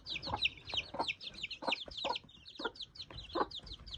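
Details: Mother hen with 13 baby chicks: a dense chorus of high, rapid chick peeps with short low clucks from the hen mixed throughout.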